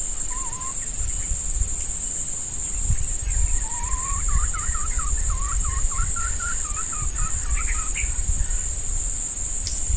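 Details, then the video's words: Female red junglefowl used as a decoy to lure wild males in hot breeding-season weather. A quick run of about a dozen wavering clucking notes rises and falls in the middle, over a steady high insect drone and low rumble. "Ayam Hutan Pikat Betina"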